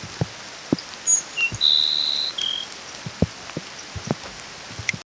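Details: A Grassland Sparrow (Ammodramus humeralis) sings in the rain: one short phrase of a few thin, high notes, then a long, flat, buzzy trill that drops slightly at the end, with raindrops pattering throughout.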